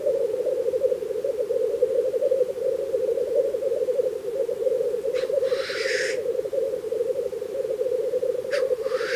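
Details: A black grouse lek in Russia in spring, heard as a dense, even, bubbling coo with no pause, topped late on by two abrupt hissing 'choo-whee' bursts.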